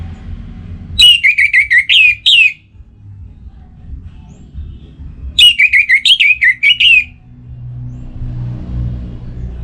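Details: Two loud phrases of rapid, rippling whistled notes, each about 1.5 seconds, come from a kept orange-headed thrush in breeding condition in North Bali calling a rival; low rumbling background between phrases.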